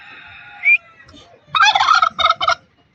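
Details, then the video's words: Angry turkey hen from Buner, Khyber Pakhtunkhwa, kept among pet birds, giving a short squeal and then a harsh, rattling burst broken into three stuttered pulses, with faint rustling beneath. "Angry Turkey bird 🦃🦃 angry turkey sounds!"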